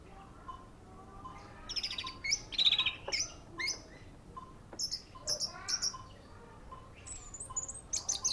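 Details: Orange-headed thrush singing softly: varied high, buzzy and whistled notes in scattered short bursts, some rapid and trilled, over a low steady background hiss.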